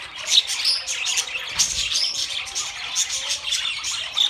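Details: Budgerigars twitter with clear, bright chirps and short whistled squeaks over raspy background chatter, plus a brief soft low rustle near the middle.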